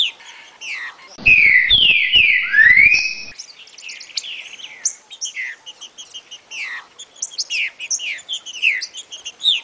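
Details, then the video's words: Green-winged saltator singing its "60 boi" song type for chick training. Powerful slurred whistles, falling then climbing, fill the first seconds, and a long series of quick thin chirps follows. "TRINCA FERRO 60 boi pra treinar filhotes"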